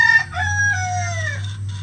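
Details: A rooster on a farm with about twenty standard and bantam roosters crows with a harmonic, drawn-out call that slides gradually downward, over steady low background hum.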